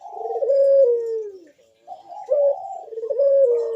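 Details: Ringneck dove giving a deep, loud bekur-style coo meant to prompt other doves to call: a rolling phrase followed by a long, smooth descending coo, a pause, then the pattern repeated.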